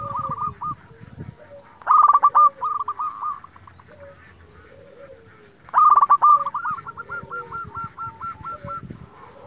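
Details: Zebra dove, local type, singing to stir rival doves to reply: two loud bursts of quick buzzy strokes, each running into a long chain of evenly repeated cooing notes, with softer doves cooing in the background.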